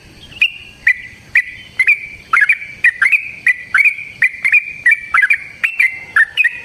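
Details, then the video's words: Lure recording of a Yellow-vented bulbul's long fighting song: a steady run of crisp, bubbly whistled notes, single and doubled, repeating roughly twice a second over nearly seven seconds, with a thin sustained tone beneath. "Suara Burung TRUCUKAN gacor TARUNG ROPEL PANJANG pancingan trucukan agar JADI trucuk gacor EMOSI"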